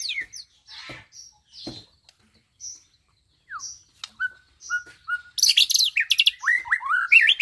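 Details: Caged young white-rumped shama, about nine months old, in Bandung, Indonesia, tutored to mimic lovebird, canary and other birds; scattered sharp chirps and slurred whistles, then a rapid, dense burst of high rising notes near the end.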